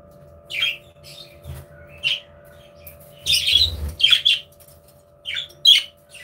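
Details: Budgerigars in an aviary, playing and interacting: short, scattered chirps and harsh squawks at irregular intervals, one noisier burst of chatter near the middle, over a steady low electrical hum.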